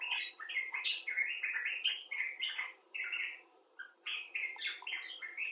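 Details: Common bulbul, some birds rescued after injury and others filmed outdoors, giving expressive chattering talk: a steady run of short slurred notes, warbling up and down in a busy, conversational stream with brief pauses.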